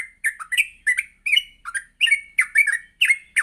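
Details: Energetic morning song of a yellow-vented bulbul for training birds to sing. Tight, rapid sequence of bubbling, slurred notes with slightly harsh edges, packed closely together throughout.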